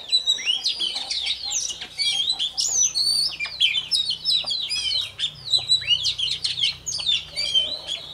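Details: Oriental magpie-robin, a recently caught bird warming up its voice each morning, pours out rich whistled phrases in bursts of rapid chirps and slurred notes, with brief gaps between the phrases.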